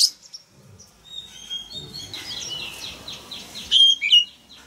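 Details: Male Oriental magpie-robin singing to provoke young birds into singing along; faint twittering and scratchy chatter give way to two loud, clear whistled notes near the end, over a steady background hiss.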